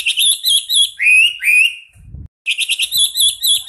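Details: Chinese hwamei singing as a master recording for training other songbirds: rapid warbled phrases with long rising whistled slurs, a brief gap, then fast repeated notes; a low thump in the pause.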